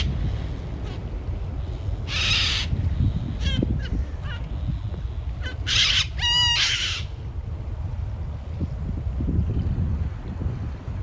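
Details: Group of non-native Yellow-crested cockatoos, likely released pets, met on a hike along Changi Beach, Singapore, giving harsh, raucous screeches: one long rasping burst, then a pair of grating shrieks over a low rumble of wind or distant traffic.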